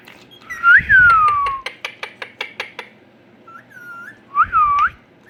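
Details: A pet Indian ringneck (rose-ringed parakeet) sitting on a computer gives a long downward-sliding whistle, then a quick run of about eight sharp clicks, then two shorter bent whistles.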